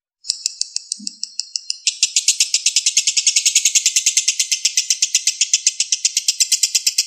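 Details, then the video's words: Lovebird konslet lure song beginning with sparse sharp chirps, then erupting after about two seconds into a dense, unbroken high trill. "Pancingan lovebird konslet"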